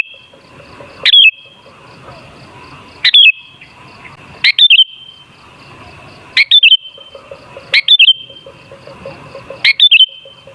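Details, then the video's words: Sooty-headed bulbul song used as a lure to provoke other bulbuls into singing: short, loud, bubbly whistled phrases, each under half a second, repeated about every one to two seconds over a faint steady hum. "Suara Burung Kutilang Sangat Ampuh Untuk Pancingan Jadikan Kutilang Ngamuk Gacor"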